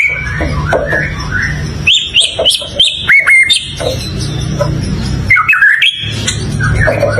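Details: Melodious white-rumped shama delivering quick bright whistles, downward slurs and chattering trills in bursts, with a low constant hum underneath.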